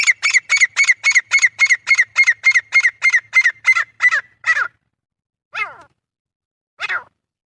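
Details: Male Grey francolin calling: a fast run of about fifteen loud, harsh, ringing notes, close to four per second, then two separate drawn-out squawks after short pauses.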